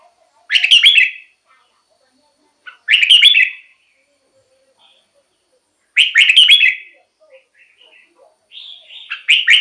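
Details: Red-whiskered bulbul song for exciting caged birds or luring wild ones: short, bright, bubbling whistled phrases repeated roughly every three seconds with quiet gaps and a few soft faint notes between.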